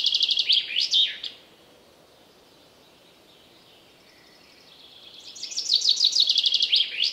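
A common chaffinch gives two bright, rattling song phrases, each a quick run of high notes tumbling down into a final flourish, separated by a few seconds of quiet.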